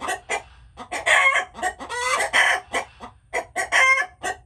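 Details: Several chickens making noise, a dense mix of short staccato clucks and longer rasping, harmonic squawks following each other closely with little pause.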